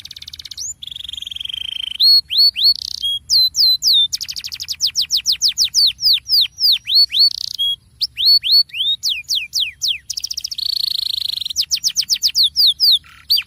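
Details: Rolling canary song, used to set off other canaries that are not singing enough: rapid runs of bright, sweeping, high chirps that repeat several times a second, alternating with steady buzzy rolls and short whistles, loud and close with no other sounds.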